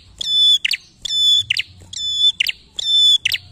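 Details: Energetic prinia song meant to draw other birds into singing, with clear sustained high whistles each ending in a quick doubled buzzy chip, repeated four times at a steady pace.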